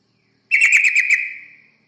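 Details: Yellow-vented bulbul sound used as a lure for other birds: one short burst of rapid bubbly notes on a steady pitch, fading into a trailing tone, in quiet surroundings.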